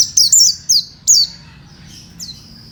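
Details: Fighter-type Oriental white-eye from Indonesia, a caged songbird, delivering several loud high chirps with quick downward slides, then one fainter note after a short lull.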